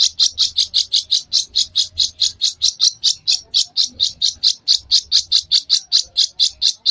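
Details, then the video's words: Long-tailed shrike song meant for teaching young shrikes, given in a fast, close-set series. Harsh, high, scratchy notes repeat steadily about four times per second for the whole stretch, with faint low rumble beneath. "Cendet Gacor Tembakan Rapat Cocok Buat Masteran Trotol"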